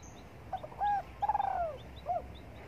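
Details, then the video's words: One full cooing phrase from a spotted dove sunbathing in the morning: a faint opening note, a held mellow coo, a trembling downward coo, and a short final coo, with faint high chirps behind. "Cu Đất Gáy Gù Phơi Nắng Sáng"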